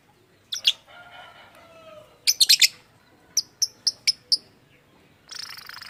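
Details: Lovebird giving a strange call said to imitate human speech: sharp high chirps, a soft low-pitched harmonic murmur with falling tones, then a quick series of five clipped chirps and a final burst of harsh hissy chatter.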